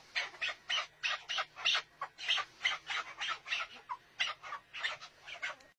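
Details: Chukar partridge uttering a regular string of hoarse, scratchy chuck notes about twice per second, fairly loud and even, ending abruptly.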